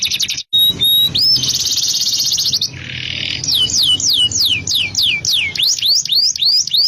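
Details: Canary in full song with a luxurious, extended style: bright whistles, a fast buzzy trill and a lower rattling burst, then high falling notes repeated about three per second. Faint music sits underneath.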